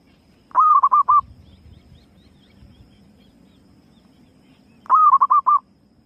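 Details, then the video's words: Female zebra dove calling, used as a lure sound: two bursts of rapid, mellow cooing notes, each a quick run of four or five short hooting pulses, separated by about four seconds of quiet with faint low background rumble. "Suara Pikat Burung Perkutut Betina Gacor Sekali Dengar Langsung Datang"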